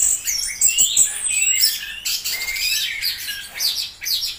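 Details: Orange-headed thrush singing a fluent, high medley of whistled slides, trills and sharp chips, phrases following one another without pause.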